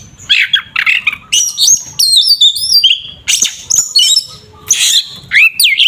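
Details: An Oriental magpie-robin's combative song, used to rouse a rival, pours out in loud bursts of shrill whistles, scratchy chatter and quick up-and-down slurs, separated by short pauses.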